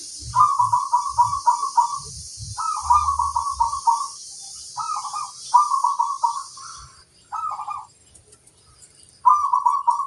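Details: Local zebra dove, crossbred, repeating quick bubbling phrases of four to six pulsed coos separated by short pauses. A few low knocks are heard early on.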